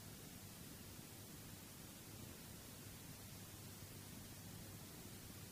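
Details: Steady broadband hiss like static throughout, with a low rumble underneath and no animal calls.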